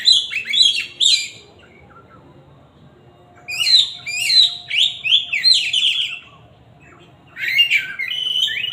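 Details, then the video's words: Loud magpie-robin song in bursts of fast, shrill, slurred whistles and chattering notes, separated by pauses of one to two seconds, with a faint steady hum in the background. "siulan kacer ini kenceng"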